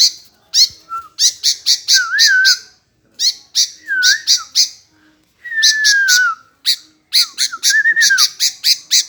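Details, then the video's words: Sooty-headed bulbul endlessly answering: rapid trains of harsh squawks alternating with sweet whistled phrases, one a long slowly falling note, others short looping warbles. "Tak Mau Diam Nyaut Terus Burung Kutilang"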